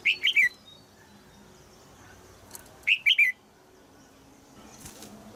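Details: Female red-whiskered bulbul in a cage in Thailand, chirping to stimulate a young male; two quick triplets of short descending chirps around three seconds apart, then quiet with soft rustling.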